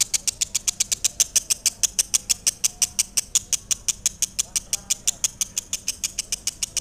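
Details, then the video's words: Lovebird chattering continuously in loud, high, buzzy chirps at a quick, even pace, about six per second. "Suara Asli Lovebird PESANGON"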